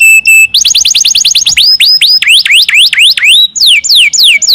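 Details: Canary song played to stir lazy canaries into singing: a steady whistled note, then rapid repeated rising chirps, followed by looping down-and-up swoops and falling slurred whistles, all very high and loud.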